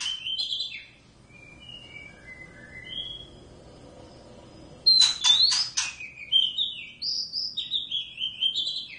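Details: Caged wild pair of Oriental magpie-robins kept indoors, singing all day; varied whistled notes and short phrases around high pitch, a quiet stretch, then a burst of sharp clicks followed by rising and falling whistled phrases.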